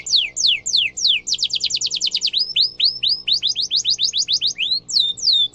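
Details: Canary trilling song used as tutoring material for young canaries: descending whistles, a quick trill, then rising curved notes in a steady series and sharp high chirps.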